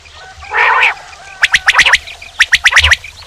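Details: A single rough, nasal burst from a male common quail, then two quick runs of sharp, high, clicky triple notes.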